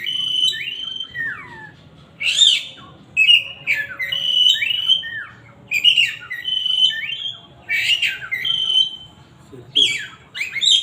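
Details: Oriental magpie-robin whistling loudly in separate phrases: clear level whistles mixed with buzzy, harsh notes, each phrase followed by a short quiet gap, repeated through the clip.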